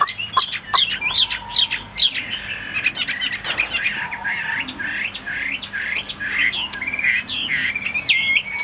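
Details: Tame caged Chinese hwamei sings a rich, varied sequence of sharp whistled phrases with quick up-and-down inflections, repeated rapidly over several seconds.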